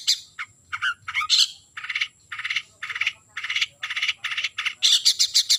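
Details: Calling a rival, a long-tailed shrike repeats broad, harsh grating notes about twice per second, closing with a quick burst of high squeaky notes.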